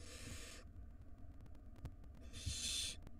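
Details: Barn owl nestlings, wild, in a nest box at feeding time: two broad, hoarse hisses about two seconds apart, the second slightly louder, plus soft knocks and a low hum.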